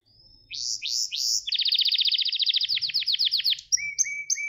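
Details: Gloster canary training song, intended to stimulate males: a few swooping rising notes lead into a fast pulsing trill that slows into separate descending notes, followed by paired high and lower whistles.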